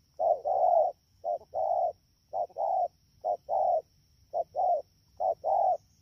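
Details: Spotted dove, wild-caught during the rainy season, Dak To, Vietnam, 3 October 2019. Slower paired cooing: a clipped coo, then a fuller longer coo, with pairs roughly one second apart and short pauses between.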